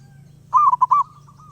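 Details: Wild zebra dove singing without pause: one loud, fluty cooing phrase of about four quick rolling notes near one pitch, preceded by a faint soft trill, with a low steady hum underneath.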